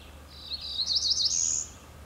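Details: Cerulean Warbler (Setophaga cerulea), recorded 25 May 2014, gives a quick run of very high, buzzy notes that climbs in pitch over about a second, over a faint low hum.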